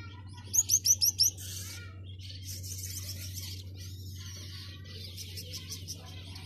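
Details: A male Gouldian finch's courtship song: five quick, high, rising ticks, then soft hissing, buzzy phrases, over a steady low hum.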